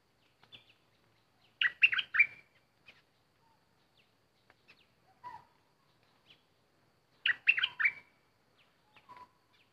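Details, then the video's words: Decoy bulbul with an uninvited guest around: two lively phrases of gurgling, warbled whistles roughly six seconds apart, interspersed with faint chips and a lower, softer call note. "Burung merbah lekir bay hoach thom gacor bahanan"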